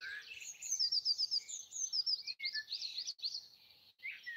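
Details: Wild birds singing early on Easter Sunday morning, 2020, in trees beside a house in Broadford, Kildare, Ireland: overlapping high thin trills and quick repeated chirps from several singers, fairly distant.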